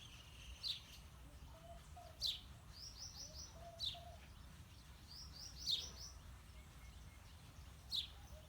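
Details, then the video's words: Male and female house sparrows: sharp, well-spaced high chirps about every one to two seconds, with short buzzy note runs in between over a quiet low background hum. "House Sparrows Male and Female Birds"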